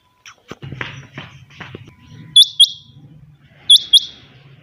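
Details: Kept quail at dawn: a low murmur and knocking fill the first half, then two bright, high-pitched double-note calls follow about 1.3 seconds apart.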